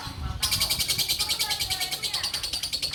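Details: Captive female orange-bellied leafbird, kept as a breeding hen until her mate died and since singing prolifically; used as a song tutor for other caged birds. Loud, rapid trill of bright, pulsing notes, about ten per second, with faint low background rumble.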